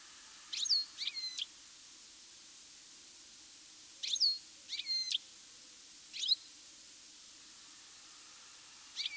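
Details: Goldfinch calling in mid-August in good weather; bursts of two or three high, slurred chirps with whistled overtones, spaced a few seconds apart, background otherwise quiet.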